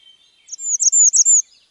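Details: Bay-breasted warbler song: a very high, thin series of about five sibilant notes, each a quick up-and-down slur, all packed into under a second, in an otherwise quiet background.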